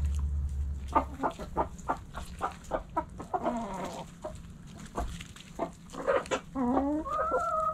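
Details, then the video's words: Backyard hens in the coop: a run of evenly spaced sharp clucks, then drawn-out rising and wavering calls, with scratching and pecking noises around them. "Backyard Chickens In The Coop Relaxing Video Sounds Noises Hens Clucking Roosters Crowing!"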